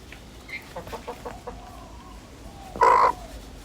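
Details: Backyard hen giving content, purr-like trills: soft pulsed murmurs in the first seconds, then a louder short rolling trill near the end.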